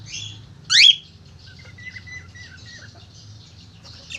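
A cockatiel gives one loud, sharp, sweeping screech, followed by faint quiet chirps.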